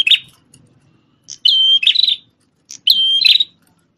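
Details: Red-headed prenjak tamu prinia, a prize-winning bird once kept as a master tutor for white-rumped shamas, in lively song: a sharp clipped note, then two high steady whistled phrases, each ending in buzzy chips, with a faint low hum.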